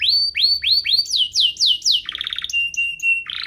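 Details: Canary song for prompting canaries to sing: four rising whistles, four descending swoops, a buzzy pulsed trill, a sustained whistle, then a harsh burst.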